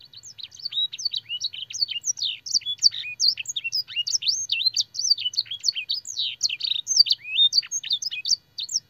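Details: Canary master song with blackthroat and sanger phrases for training young birds: a dense, fast flow of high whistles, downward slurs and chattering notes, sustained throughout with a faint hum beneath.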